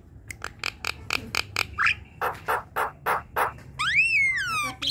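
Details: Javan myna kept with others, singing to encourage quiet birds: a quick series of sharp clicks, harsh rasping notes, then a long rising whistle that slides smoothly downward.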